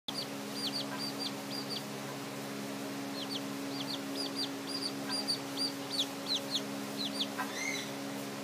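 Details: Newly hatched Silkie chicks, hatched 28 May 2014, giving many short, high, downward-slurred peeps in quick irregular runs, some louder and longer near the end, over a steady low electrical hum.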